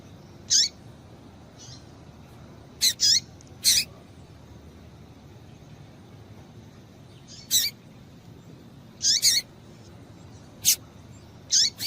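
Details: Call of a female double-collared seedeater, used to excite males into singing: about nine brief, high-pitched chips, some single and some in quick pairs, separated by pauses of up to four seconds over faint background noise.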